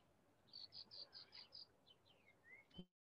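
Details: Graceful prinia, a small native warbler, calling near bird-ringing nets at the Jerusalem Bird Observatory in April as dusk falls; six quick, high, evenly spaced chirps, then a few softer descending slurred notes, with faint background noise.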